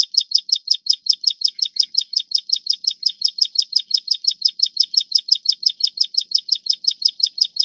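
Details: A Plain Prinia of the Taiwan endemic subspecies Prinia inornata flavirostris gives a long, steady run of high, buzzy notes, about five per second, with no other sounds.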